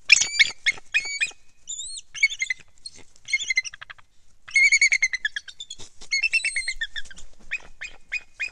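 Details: Bald eagle calling at a nest atop a loblolly pine by Kincaid Lake in Louisiana's Kisatchie National Forest, December: rapid staccato chattering notes, a pair of high slurred whistles, then further bursts of sharp, squeaky piping notes.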